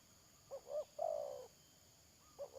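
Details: A spotted dove decoy used for trapping, 31 May 2022, gives two soft short coos and a long falling croo, then starts another phrase, against a quiet hiss.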